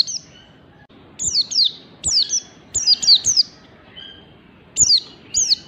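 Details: Sharp, high, downward-sweeping whistles from a white-eye in fast ngalas-style phrases, in short irregular bursts of one to three notes with brief pauses.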